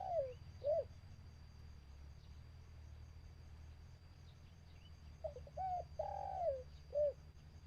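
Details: A dove used as a trapping decoy calls toward wild birds. Short coos open the recording, then a pause with faint background, then a phrase of quick notes, a long falling coo and a final short coo.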